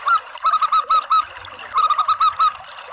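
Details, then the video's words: Local zebra dove call used as a lure to draw in other doves: two bursts of five or six short, rich cooing notes, each with an upturned hook, separated by a brief pause. "SUARA PANGGILAN PERKUTUT LOKAL ¦ PANCINGAN PERKUTUT"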